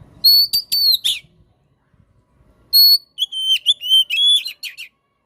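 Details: Oriental magpie-robin song, played as a tutor and lure for birds that have stopped singing: clear ringing whistled notes with sharp clicks, two phrases separated by silence, the second a quick string of sweeping whistles.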